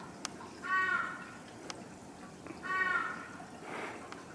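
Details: Crested ibis at a zoo in Ishikawa, Japan, recorded on 24 April 2023 while rearing three chicks; two hoarse, nasal calls about two seconds apart, each lasting under a second, over faint background noise and a few clicks.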